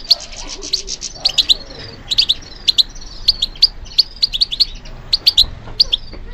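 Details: Captive European goldfinch trained for song competitions, pouring out fast tinkling song: high chirps in twos and threes, short buzzy trills, steady throughout with light background hiss.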